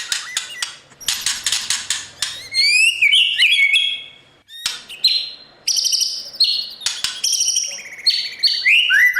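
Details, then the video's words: White-rumped shama, a caged bird trained to sing for competition, in morning song: dense clicking bursts, rising whistled sweeps, then clear steady high notes and falling slurred phrases. "Chòe lửa hót sáng luyện giọng cho bổi hót đấu căng lửa , chòe lửa luyện giọng"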